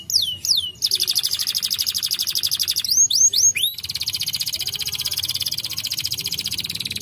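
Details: Canary song mixing quick swooping whistles with long, steady, rapid buzzy trills of high notes, switching between trill types.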